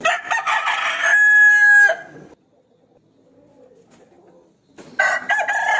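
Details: Rooster crowing to challenge a rival to fight, a loud, strained crow lasting about two seconds and ending in a long held tone, a quiet gap, then another crow starting at the end.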